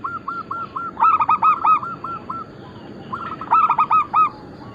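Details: Several zebra doves of local and Bangkok-cross stock sing together in a recording for luring and training birds. Overlapping series of short, clipped coos, with two louder bursts of quick ringing notes standing out from softer distant singers.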